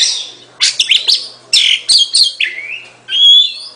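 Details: Oriental magpie-robin singing short bursts of scratchy twittering notes, followed by a falling slurred whistle and a long clear rising whistle at the end.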